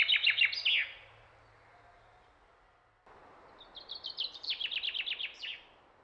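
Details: Springtime chaffinch from the Lake District in Britain: the tail end of one song, a pause, then a full new song of quick sweet notes accelerating into a rattling trill with a closing flourish.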